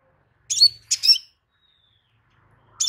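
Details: Crimson sunbird song, used to make a listening sunbird answer within a minute: three sharp, high chirpy bursts, two close together early on and one more near the end, in a quiet setting.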